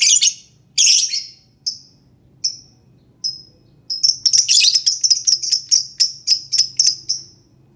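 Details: Lovebird song to encourage silent lovebirds to sing: a few harsh squeaky bursts and spaced sharp chirps, then a fast, excited stream of high, rattling chatter.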